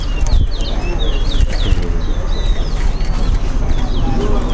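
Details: At a towa towa whistling competition in Linden, a chestnut-bellied seed finch sings sharp descending whistled notes in a brief burst, then softer scattered notes, with crowd noise throughout.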